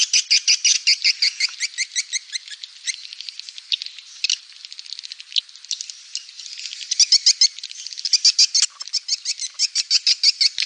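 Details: Swiftlet call played to draw swiftlets: a long, rattling chatter of rapid high chips in uneven runs, with louder clustered trills toward the end.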